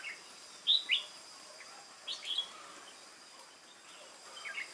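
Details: Contest song of a wild-caught red-whiskered bulbul, 22 October 2018: two loud, clear, whistled notes, then a slurred rising phrase and softer chirps toward the end, over faint hiss.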